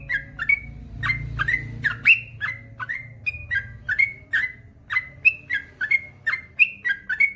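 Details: Male yellow-vented bulbul (trucukan) sings a steady series of liquid, gurgling whistled phrases, each a quick downward slur followed by a clear higher note, repeated about twice a second for seven seconds over a faint low hum.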